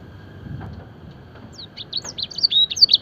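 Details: Fancy canary singing blackthroat-style phrases for training birds: after a second and a half of quiet background hum, a burst of high whistled slurs and sharp chips begins and runs to the end.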